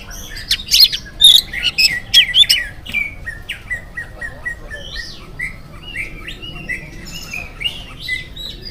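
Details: Oriental magpie-robin delivering morning song intended to get other magpie-robins singing, opening with loud sharp chips and piping whistles, then a long run of softer, varied warbling phrases.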